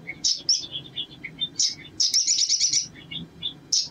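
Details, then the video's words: Male sunbird singing as a lure, scattered sharp high chirps and short twitters, then a fast buzzy trill of about a second, over low background murmur. "SOGON GACOR PANCINGAN NGLEPER‼️ TERAPI BIKIN SOGON CEPAT NGLEPER"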